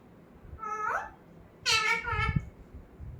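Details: Indoor pet talking parrot giving two voice-like, speech-sounding phrases with a human-like tone, followed by soft low thumps in the room.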